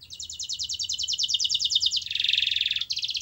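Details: Continuous canary song meant to start a quiet canary singing, a rapid even trill of high notes followed by a rough buzzy roll and another quick trill.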